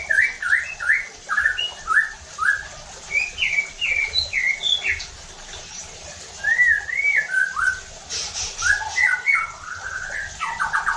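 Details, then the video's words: White-rumped shama song used as a lure to provoke other shamas into loud, aggressive singing and full repertoire: rich whistled phrases of short rising and falling notes in quick runs, brief pauses between bursts, faint low background hum. "PANCINGAN EFEKTIF JADIKAN MURAI BATU NEMBAK KASARR UNTUK MENINGKATKAN EMOSI DAN BONGKAR ISIAN"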